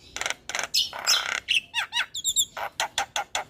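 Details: Harsh, rasping bursts open this starling song for prompting caged starlings to sing, then looping whistles and a series of short, scratchy chirps about three per second.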